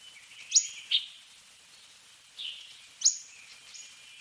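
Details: Fork-tailed sunbird singing: sharp, very high, thin notes that slide downward, in a short pair, then a softer pause, then another pair with a faint buzzy trailing note.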